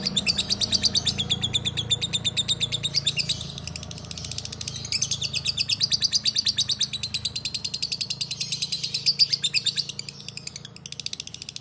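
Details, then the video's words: Several lovebirds kept together in a group aviary, calling in full song: dense, rapid high chattering trills repeated in fast pulses, with a low background hum. "Lovebird Murah Tapi Bukan Murahan l Ombyokan Gacor"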